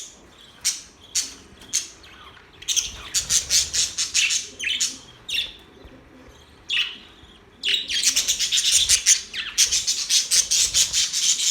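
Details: Chirping budgies: isolated sharp squeaks at first, then a run of quick, rhythmic high chirps, a pause, and a final dense burst of rapid scratchy twittering.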